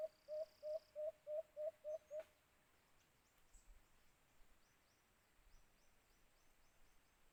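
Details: During cage-trap hunting, a white-eared brown dove (alimokun) gives seven quick, evenly spaced hollow hoots, then falls silent, leaving faint distant calls and rustling noise.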